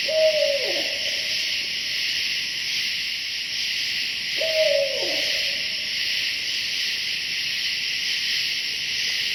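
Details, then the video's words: At night in Hoosier National Forest, a barred owl right above a tent, calling for its mate, gives two low hoots about four seconds apart, each sliding down at the end, over a steady shrill chorus of night insects. "That's a barred owl right above my tent. He's calling for his mate."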